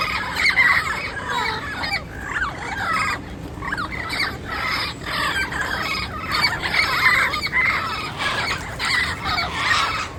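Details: Turquoise-fronted amazon calling in the wild: a steady stream of harsh, raspy squawks and screeches overlapping throughout, several voices at once, with rough bursts repeating every fraction of a second against a faint natural background hiss.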